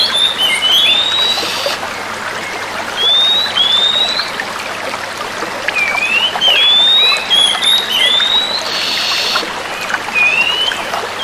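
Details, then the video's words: Female Oriental magpie-robins answering each other: thin whistled notes, mostly rising slurs, scattered irregularly through the recording, set against a steady trickling, water-like hiss. "Suara Kacer Betina Bersautan"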